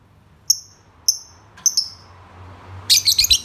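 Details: Lovebird giving sharp, high, short chirps spaced about half a second apart, then a quick burst of four rapid, harsher chirps near the end. Faint low hum in the background.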